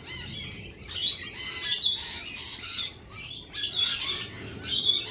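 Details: Lorikeets squawk in harsh, high bursts separated by short pauses, several birds overlapping.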